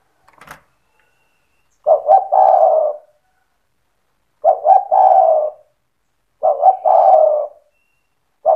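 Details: Spotted dove in lively cetretan song, played to goad other doves into calling: a click, then repeated phrases every two to three seconds, each a double hiccup note followed by a sustained mellow coo.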